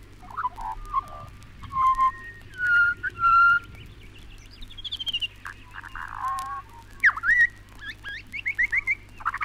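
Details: Pied butcherbird recorded in Australia (1968 release) sings clear, fluted whistles in short varied phrases, some sliding upward, then quicker bright notes, over a low steady hum.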